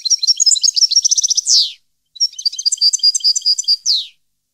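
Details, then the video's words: Two energetic European goldfinch phrases from 2015, each a fast sequence of high tinkling notes and trills ending with a rasping descending buzz, separated by a brief gap. "Goldfinch song 2015/ Canto Jilguero Parva 2015"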